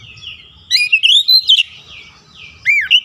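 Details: Caged white-rumped shama, song used to stimulate a silent bird: a brief phrase of fluty whistles sliding up and down, then one loud looping note after a pause.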